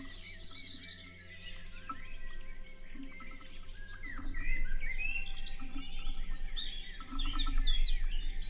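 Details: Hawfinches visiting a feeder set up at a forest edge: a dense stream of short, high chirps and sharp ticks from several birds overlaps throughout, over a low steady hum.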